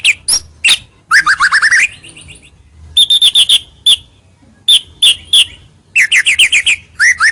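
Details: Lure song of a White-rumped shama meant to bring rivals near: loud clusters of quick high notes and rapid trills, separated by short pauses, voiced clearly and brightly.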